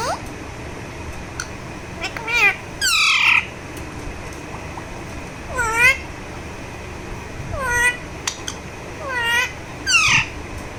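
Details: Alexandrine parakeet, a talking parrot, vocalizing while receiving a massage: a series of about six loud, harmonic calls that arch and drop in pitch, spaced roughly every one to two seconds, with quiet indoor background between them.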